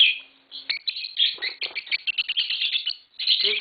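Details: Green Fischer's lovebird perched on a person's head, giving rapid, scratchy chirps in a quick stuttering series, with a man's voice briefly at the end.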